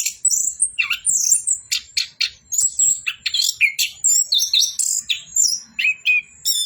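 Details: An orange-headed thrush sings nonstop ('bocor'), its high notes coming in quick bursts: downward-slurred whistles, clipped chirps and rippling twitters repeated without a break.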